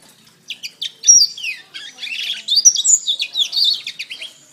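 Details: Canary song recorded as training material for songbirds: quick clicking chips lead into a long, loud, rolling warble of high whistles and trills.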